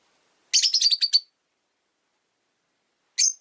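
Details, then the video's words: A pet Rosy-faced lovebird, one of five caged by a window on a winter day, gives a quick burst of about seven shrill, buzzy chirps, then one more short chirp after a two-second pause. "Lovebird Chirping Sounds"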